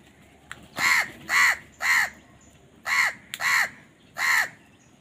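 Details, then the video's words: Crows fighting for food, giving a run of six loud, rasping caws, each about a third of a second long and spaced roughly half a second apart, with one short pause midway. "Crow Bird Fight for Food | Crow Bird Unity Anger and Crowing Sound"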